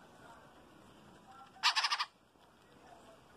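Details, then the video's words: Chopi blackbird feeding its chick; one short burst of four rapid, harsh, buzzy notes against a faint steady background hiss. "COQUI(pássaro preto) alimentando o filhote"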